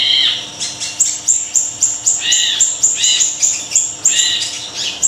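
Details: Actively singing small siri-siri, kept as a lure and master song for songbirds, gives a rapid run of piercing, very high chirps and short whistled slurs in near-continuous bursts.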